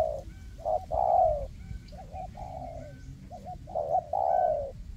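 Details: Decoy spotted doves calling in a forest to entice wild doves toward a trap: repeated loud, mellow coo phrases, each with clipped lead-in notes and a long, gently falling coo, about every one and a half seconds.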